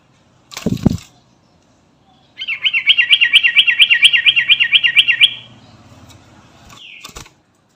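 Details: Sooty-headed bulbul of the 'garuda' type calling companions: after a dull thump, a long even trill of about twenty quick, wavering notes lasting three seconds, ending with a thin slurred note and a click.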